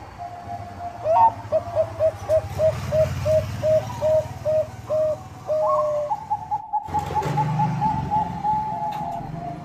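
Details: Bangkok-type zebra dove lure song for rival birds: a fast, even run of about a dozen short staccato coos, ending in a long sustained note, over a low background rumble.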